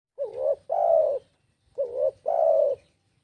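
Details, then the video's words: Spotted dove singing: two coo phrases, each a short wavering double note followed by a longer, steady, mellow coo, separated by about a second of quiet. "Suara Burung Tekukur"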